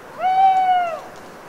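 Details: A single owl in a wet autumn forest at night near Les Assions in France's Cévennes foothills, after rain. It gives one smooth, prolonged, mellow hoot that tails off slightly, with quiet dripping behind it.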